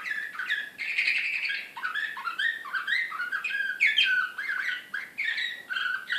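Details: Belgrade canary, 2016, sung in slavujar fashion and described as excited. A continuous stream of varied chirps, buzzy trills and downward-sliding notes runs with only brief dips.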